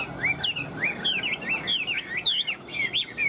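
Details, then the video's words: Caged Chinese hwamei in full song: bright, liquid whistles swooping up and down, strung together in fast, varied phrases with little pause, over faint background noise. "sách lồng hót 11 phút không nghỉ l Hoạt Họa Mi"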